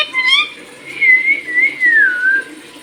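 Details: Pet talking parrot billed as Bhojpuri-speaking, giving a short stuttered whistled note followed by a long, clear, wavering whistle that slides gently down over about a second and a half, indoors.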